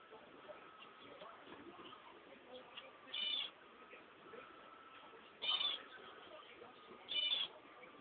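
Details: Cream Java sparrow chicks, part of a brood of eight hatched indoors on 20 March, give three brief, high, scratchy call bursts about two seconds apart over a steady background hiss and faint hum.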